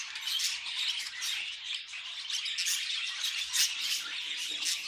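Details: Pet budgies giving a steady stream of high, grating chatter, rapid squeaks and clicks layered without a break, with a brief louder chirp burst midway.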